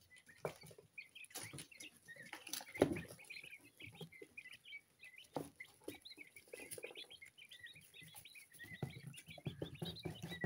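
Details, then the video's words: Two-week-old mixed-colour coturnix quail chicks, a captive hatch about to go to new owners. Constant chorus of short, high chirps from many chicks, thickening toward the end, with scattered thuds and shuffling noises. "2 weeks old QUAIL CHICKS Mixed Colors"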